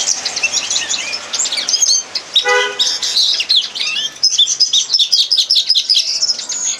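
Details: Red crossbill training song for captive birds: busy, high twittering chips and whistles, interrupted briefly by a lower, harmonic, horn-like toot.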